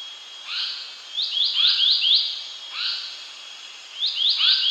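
Asian paradise flycatcher giving short, harsh, chirping notes that rise then drop, in quick runs of two to four with brief pauses between. A faint steady hiss lies underneath.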